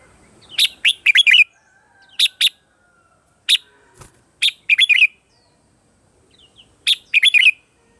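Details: Red-whiskered bulbul morning song kept for training other birds: short bright chirpy phrases of two to five rapid notes, each burst separated by about a second or more of silence, clean background.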